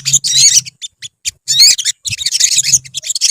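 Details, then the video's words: Olive-backed sunbird colony: quick high chirps and shrill rising notes in clusters, separated by short gaps, with a faint low hum. "BURUNG SOGON / SOGOK ONTONG / SOTONG SUARA TERAPI KOLONI GACOR"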